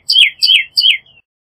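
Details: Pyrrhuloxia, Cardinalis sinuatus, sings three clear downslurred whistles, each starting high and sliding lower, evenly spaced about every third of a second, ending with a faint short note; background otherwise silent.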